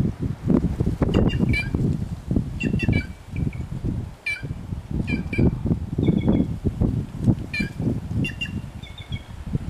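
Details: Free-living white-naped jay calling in nature, with sharp short notes and a few slightly drawn-out level tones, partly masked by loud continuous low-pitched rumbling noise.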